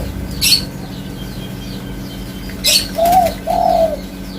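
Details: Spotted dove giving one pair of low, rounded coos near the end, a short note and then a longer drawn-out one. Earlier there are a few brief high chirps and bursts of flapping over a steady faint hum.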